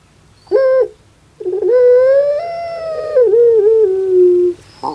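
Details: Caged puter pelung, a Javanese dove whose cry resembles a weeping child: a short clipped note, then a long nasal coo swelling slightly upward before dipping and trailing off low.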